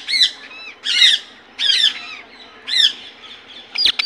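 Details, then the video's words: Indian ringneck parakeet giving loud, harsh squawks, each stacked and rasping, repeated roughly every 0.8 seconds in an uneven series of five, with a faint knock at the end. "Natural Voice of Parrot"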